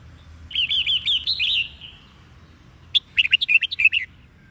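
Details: Red-whiskered bulbul in 'Sông Kôn' training song: a run of rolling, slurred whistled notes, then after a pause a rapid series of bright chirpy notes, clear and close.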